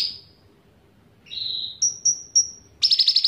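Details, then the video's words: Bulbul known as cucak ranting, with cicilin song mixed in: a thin high note, a lower drawn-out whistle, three short high piping whistles, then a fast sharp trill. "Cucak Ranting Gacor Isian Cicilin"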